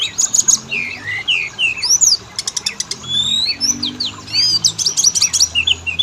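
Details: Oriental magpie-robin lure meant to trigger singing in males and females: varied whistled phrases mixed with harsh rattling bursts and high trills, a faint low hum beneath.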